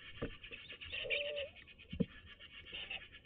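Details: Tawny owl pair inside a nest box in Toledo, Castilla-La Mancha, in daytime: the rufous male visits the grey-morph female for a courtship exchange. Rapid soft pulsed chittering runs throughout, with a brief low tonal note and a few knocks.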